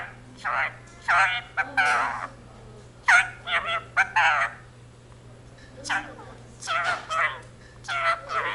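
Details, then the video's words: Indian ringneck parakeet living with a family, chattering the Punjabi phrase "jo bole so nihaal sat sri akal": dense strings of quick, hoarse, voice-like syllables in two phrases separated by a short pause. "talking parrot jaikara indian ringneck speaks in punjabi"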